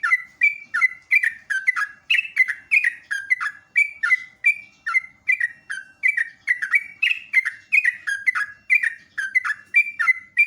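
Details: Sooty-headed bulbul singing in the morning: a steady run of short, bubbly whistled phrases, each dipping and rising, repeated about twice a second without pause for the whole stretch.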